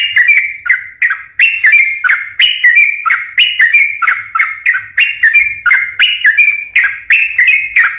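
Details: Trucukan, the sooty-headed bulbul, in lively lure song for silent birds: steady chain of short, bubbly whistled notes with downward inflections, rolling on evenly for the whole stretch.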